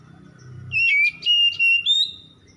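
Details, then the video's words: Oriental magpie-robin song used at dawn to coax stressed birds into singing: a few sustained clear whistled notes, level and slightly rising, broken by short pauses. "PANCINGAN KACER EMBUN PAGI"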